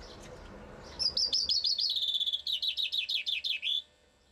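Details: Full chaffinch song from a Bucharest bird, Romania: a brisk series of high repeated notes accelerating and dropping in pitch, finishing with a terminal flourish, against a quiet background.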